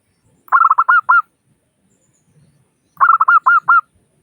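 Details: Local zebra dove used as a lure for other doves. Two matching phrases, each a quick stammering run of clear ringing coos ending in a spaced final note, separated by a quiet pause of nearly two seconds.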